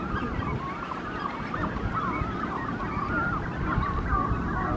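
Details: Nesting Brandt's cormorants with chicks at a busy colony in Monterey on a morning walk; many birds give overlapping wavering, nasal calls, rising and falling, over a constant low rumble.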